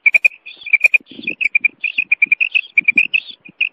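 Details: Female common quail, called mada batair locally: rapid, dense series of short, high chirping notes delivered in quick clusters, mixed with soft clicks and low rustling.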